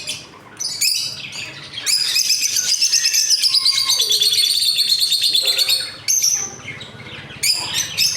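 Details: Lovebirds kept together as a breeding colony, among them peach-faced and mutation birds plus young; a bright, rapid chirping trill runs steadily for several seconds, sliding slightly downward, with short squeaky notes from other birds before and after.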